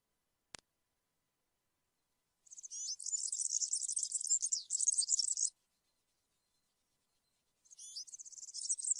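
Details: A European serin sings field-style song meant for young birds to copy. A single click comes first, then a three-second jangle of high, scratchy, rapidly repeated notes. A second phrase begins near the end.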